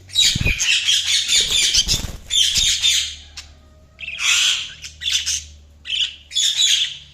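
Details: Several budgerigars chattering loudly in dense bursts of scratchy, high squawks and chirps, with brief pauses between the bouts.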